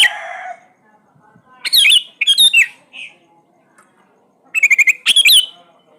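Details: A sooty-headed bulbul sings lively, liquid whistled phrases. A few quick bursts are separated by pauses, and one phrase opens with a rapid stutter of notes. The recording is offered as a lure for birds that seldom sing.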